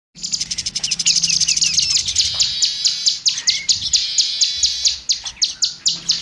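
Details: Oriental magpie-robin (kacer) singing as a training recording for other songbirds: a fast, dense run of high, sharp repeated chips and short buzzy notes, about two per second, continuing without pause.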